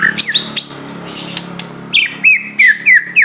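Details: Aceh white-rumped shama singing energetically: a few high whipping notes, then a series of five loud, downslurred whistled phrases repeated at a steady, rapid pace, with a low background hum.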